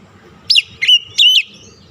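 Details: Oriental magpie-robin lure song to rouse a stressed, silent bird: three quick whistled notes, the first steeply falling, the next two longer and slurred, over a faint low hum.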